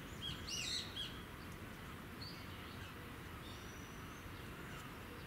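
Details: A hawfinch in Okayama City, Japan, on 26 February 2019 gives a few sharp, high ticking notes bunched in the first second, then fainter single clicks, over a steady low rumble.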